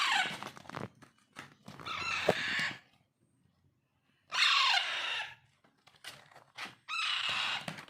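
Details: Alexandrine parakeet chicks during hand-feeding give four loud, grating, rasping squawks, each about a second long, separated by clicks and a short silence.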